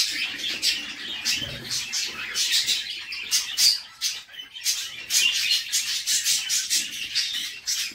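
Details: Nestling budgerigars begging as their mother feeds them inside a nest box: rapid, scratchy high-pitched chirps and squawks pulse almost without pause, rising in short louder surges every second or so.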